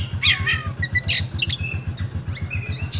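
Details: Kept oriental magpie-robin in Comal, Pemalang, Central Java, Indonesia, giving a few high chirps and whistled phrases, then level drawn-out whistles, against a continuous low rhythmic thumping.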